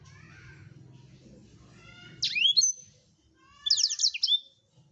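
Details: Blackthroat singing for use as a tutor recording: a low rumbling noise fills the first two seconds, then two high phrases follow, a sweeping slurred whistle and a rapid series of sharp descending notes.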